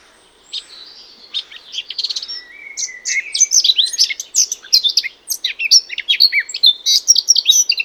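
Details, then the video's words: Eurasian Blackcap song starting quietly with soft scratchy notes, then opening into a loud cascade of rich, fluted whistles and rapid warbling. "Ce chant est celui de la fauvette à tête noire."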